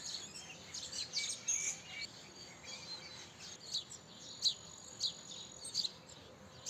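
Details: House sparrow chirping: a busy run of overlapping high chirps early on, then sharper separate notes at uneven intervals, with faint background hiss.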